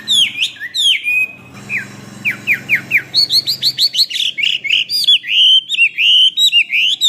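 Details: Hwamei song meant to train other birds: varied loud whistles, a short run of falling slurred notes, then a fast rising series of bright looping whistles, with a low hum underneath at times.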